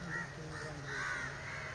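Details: Spotted owlet, recorded at very close range and not shy, giving two harsh, screechy notes about a second apart, over a low rumble and a faint voice.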